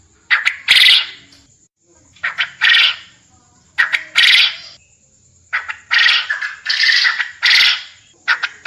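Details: A quail gives repeated calls for contest training: clipped introductory notes lead into loud, scratchy, wide-band bursts. Phrases come about every one to one and a half seconds and bunch together toward the end, with a steady thin whine in the background.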